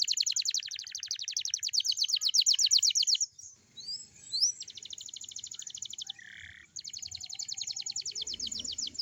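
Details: Morning song of a young canary, used to coax young canaries into singing: long, fast, buzzy high trills, a short pause with a few scattered chirps, then another rapid rattling trill.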